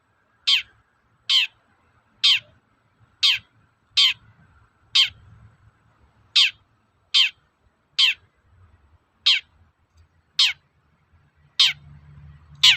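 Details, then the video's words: Long run of about fifteen grating, down-slurred toet-toet notes from a long-tailed shrike, steady at under a second apart, with low rumbling toward the end; the call serves to provoke other shrikes into singing. "Suara burung cendet gacor toet-toet memancing emosi cendet bahan agar cepat gacor"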